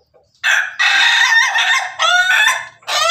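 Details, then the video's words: Pelung Bangkok rooster feeding alongside hens. It gives a loud, harsh, rasping crow broken into three bursts: a long opening phrase, a shorter middle section and a final rising burst at the end. "ayam pelung Bangkok makan bersama ayam babon, suara ayam ketawa berkokok"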